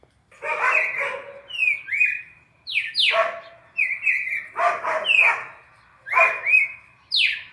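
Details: Red-crested cardinal singing the classic four-note sequence used to train captive birds in Brazil: loud whistled notes, some flat and some sharply falling, in bursts about a second apart, with a lower echoing tone underneath.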